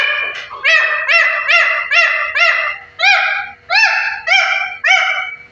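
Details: Fifteen-year-old parrot giving a run of about ten rich, nasal squawks, each briefly rising then falling, repeated roughly every half second in a steady rhythm, loud and close.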